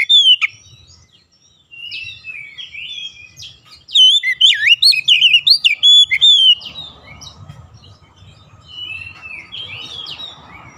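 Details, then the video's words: Oriental magpie-robin lure song, played to trigger other magpie-robins to join in. Scattered high chirps lead into a two-second loud burst of twisting whistles. Quieter twittering and a low background hiss follow. "APAPUN JENIS KACER PASTI TERPANCING LANGSUNG IKUT GACOR"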